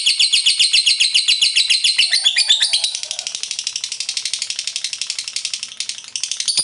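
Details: Lovebird in full ngekek, a long continuous chattering song: rapid, dense, high-pitched chatter pulsing about 222 times a minute, shrill and buzzy throughout, growing slightly softer midway before rising again.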